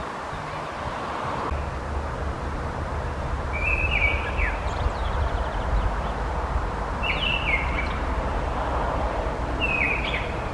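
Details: Mistle thrush (Turdus viscivorus) calling: three brief, dry, chattering bursts spread about three seconds apart over a constant background rumble of wind and distant noise.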